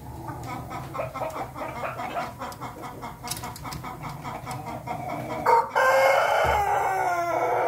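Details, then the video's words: Ayam Ketawa (laughing chicken) crowing, recorded 20 May 2024: a long run of quick, evenly spaced staccato notes like rapid laughter, followed by a louder, harsher drawn-out burst near the end, with steady low background hum. "ayam ketawa berkokok"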